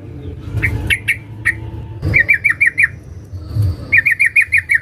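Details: Female sooty-headed bulbul calling a male: a few spaced sharp chirps, then two fast runs of five to six bright, crisp notes, over a low background hum.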